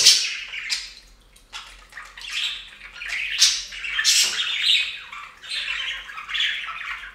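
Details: Pet budgerigars bathing in a bird fountain, giving a busy stream of harsh squawks, chirps and scratchy warbling notes, bursts overlapping in quick succession with brief pauses, high-pitched and dense throughout.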